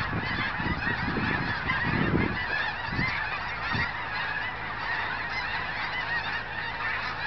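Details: A mass migration of geese near Crestline, Kansas, filmed 14 January 2011 beside an old cemetery: a ceaseless chorus of honking from a vast flock, with low wind bursts in the opening seconds and steadier calling afterwards.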